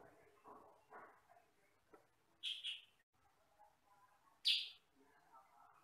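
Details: Sooty-headed bulbul, sutra type, recorded as training material for other birds: a rough double chirp, then a louder single harsh chirp two seconds later, with soft low thumps and murmurs around them.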